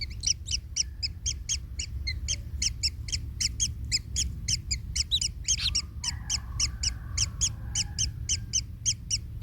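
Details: Baby kingfisher in its nest, in pain after the parent steps on it, giving dense, rapid, uneven chirps, roughly two a second, with a longer drawn-out call and a faint whistle partway through, over low background rumble.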